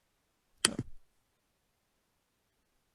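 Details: A single sharp knock followed by a brief rattling thud breaks an otherwise silent room, with no animal sound.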